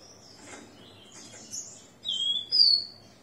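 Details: Caged, ringed male-kept Rufous-collared sparrow singing after its moult at 6 in the morning on 29 September 2021: a short phrase of clear, high slurred whistles, the last two notes loudest and falling, with soft rustling before.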